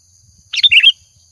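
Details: Lure recording of an actively singing sooty-headed bulbul (kutilang): one brief, rich phrase of tumbling chirpy notes that falls slightly at the end. A faint steady high whine runs behind it.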